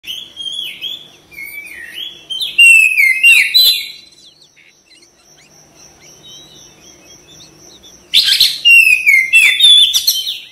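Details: Oriental magpie-robin (kacer) singing vigorously (gacor) with tail fanned: bursts of loud, varied whistled phrases and sharp chirps, a quiet pause mid-way, then another rich burst; a steady high thin tone runs beneath.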